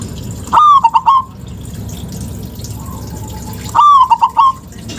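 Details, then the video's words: Zebra dove of local stock calling to stir silent birds into song: two bouts, each a bright sliding coo then a quick run of three clipped notes, with steady low hum between. "Pancingan Perkutut LOKAL..Suara JOSS"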